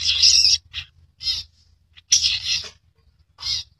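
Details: An albino, red-eyed long-tailed shrike gives harsh, raspy, scratchy bursts, two long loud ones about two seconds apart with shorter rasps between.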